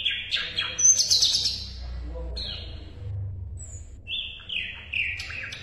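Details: Asian brown flycatcher song for tutoring caged contest birds. Quick high chips and slurred whistles come in bursts, with a brief quiet spell, then a falling series of bright notes.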